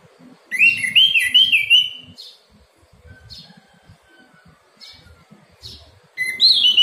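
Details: Orange-headed thrush in 'ngeplong' morning song, a therapy recording for caged birds that stopped singing: a fluent string of rising and dipping whistled notes, scattered short chips, then another loud whistled phrase begins.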